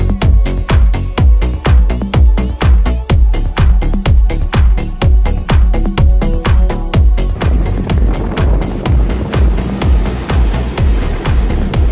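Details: Loud electronic dance music with a steady thumping beat, no animal sound heard.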